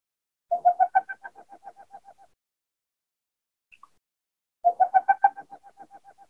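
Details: Boreal Owl's basic call, heard regularly in the Island Park area: two quick bursts of about a dozen low, hollow hoots each, swelling then fading over under two seconds, spaced about four seconds apart.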